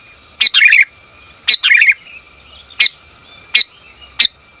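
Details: Female sooty-headed bulbul calling to the male: sharp, bright chirps, two of them followed by short bubbly warbled phrases, then three lone clipped notes spaced under a second apart, over a faint steady background hum.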